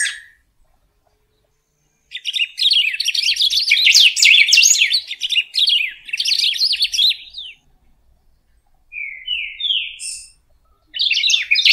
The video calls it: Pepitero/Picahueso Canto - Golden-billed Saltator